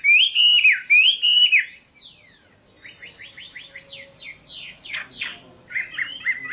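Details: Chinese hwamei gives two loud whistled phrases, followed by softer quick downslurred notes and a brief rising whistle at the end.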